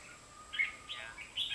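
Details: Decoy red-whiskered bulbul singing during trapping on 23 October 2016, two decoys hung beside a motorbike: three brief, clear whistled notes spaced about half a second apart over faint steady hiss.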